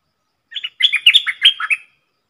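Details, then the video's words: Red-whiskered bulbul decoy giving one rapid three-part sap dok phrase in the dok taeng song style, meant for training young birds and luring wild birds; a short note, then a fast tumbling run of whistled, warbling syllables. "เสียงนกดอกแตงEp.125นกต่อจ้าวขันเงิน 3หลักสับดอกรัวๆ ใช้หัดลูกเสอ/ต่อนกป่า"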